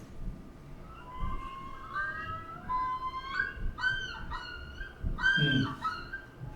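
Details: Common Loon yodel, given only by males in breeding season as an aggressive call: a series of loud, wavering, rising-and-falling wails repeated in quick succession, over a low background rumble.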